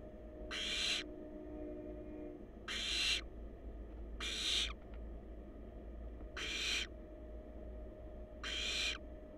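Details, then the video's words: Hissing screeches from wild barn owl chicks inside a research-monitored nest box on a live camera, five rasping bursts of about half a second repeated every one and a half to two seconds, with a constant low hum beneath. "Adorable Barn Owl Babies On Live Cam"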